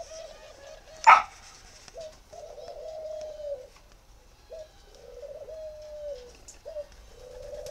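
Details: Spotted dove of the northern Vietnam singing type, kept at a bird farm in Ba Vì near Hanoi, cooing: low mellow notes, short hiccup-like coos alternating with long drawn-out level coos, with a sharp loud click near the start.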